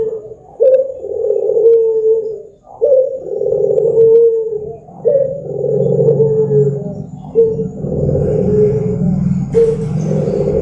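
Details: Barbary dove song for luring birds into singing: steady run of long, deep, hollow coos about every two seconds, each opening abruptly then drooping, over a low background hum with a brief rustle near the end.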